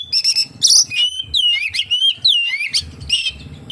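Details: Oriental magpie-robin song packed with kapas tembak imitations: a short, rich run of bright whistles, downslurred and upslurred notes and a buzzy trill, delivered in quick bursts.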